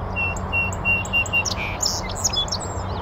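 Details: Sweet song of a North American Song Sparrow perched in a bush on a northern USA oak savanna near a beaver pond: five steady repeated clear notes, then a buzzy note and a tumble of high twittering phrases over faint low hum.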